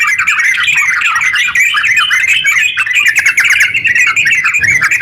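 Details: Sooty-headed bulbul in full 'gacor ropel' style, a long rapid song used as a lure to get other bulbuls singing. Dense, bubbly chattering notes run without pause, jumping and warbling in the middle range with sharper chips above.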